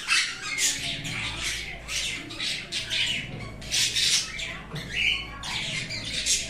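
A sun conure gives loud, harsh, repeated screeching squawks in rapid bursts.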